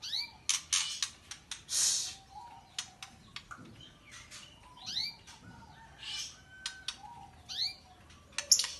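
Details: Young albino white-rumped shama giving bursts of sharp, high chirps and quick downward-sweeping notes, repeated in short phrases with brief pauses between them, mixed with scattered clicks.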